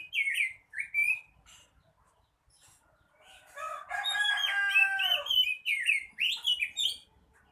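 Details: Male oriental magpie-robin singing: short whistled slurred phrases, a quiet gap, then a long dense burst of rich harsh, buzzy notes followed by more looping whistles.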